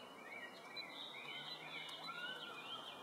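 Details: Male Narcissus flycatcher singing in Sakuragaoka Park, Tokyo, Japan, on 14 May 2011: high, clear whistled phrases that slur up and down, run together with little pause, against a soft background hiss.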